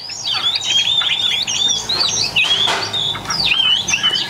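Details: Chinese hwamei number two, a caged yellow-billed bird just warming up, delivering loud ringing whistled phrases with quick up-and-down slurs, broken by brief harsher bursts.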